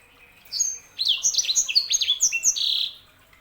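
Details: Sanger, a canary hybrid, singing a quick run of bright, high chirps and short rising and falling whistled notes, tightly strung together for about two seconds.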